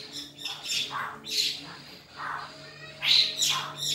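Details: Black-throated laughingthrush giving a fighting song: a series of loud, varied phrases, with mid-pitched whistled notes alternating with higher, harsher squawky bursts and short pauses between them.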